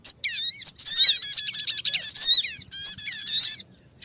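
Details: Sogon bird heard on a trapping lure: excited series of quick, warbling, downslurred chirps with ringing overtones, nearly unbroken for about three seconds before falling quiet.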